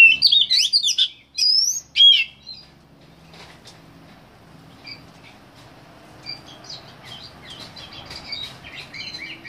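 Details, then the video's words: Oriental magpie-robin song, May 2015: loud bursts of clear, swooping whistles and rich chirps in the first two seconds, then faint scattered notes and soft twitters over a quiet background. "Magpie robin singing"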